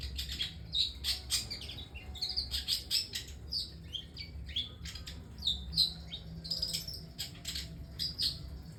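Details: Long-tailed shrike singing a varied, lively song of sharp chirps, whistled notes and buzzy phrases in quick irregular bursts, with a steady low hum beneath.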